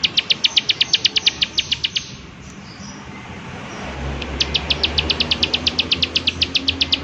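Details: Prinia giving "klik klik" calls amid nature sounds: two runs of quick, high, dry clicks separated by a two-second pause, with a low hum in the background during the second run.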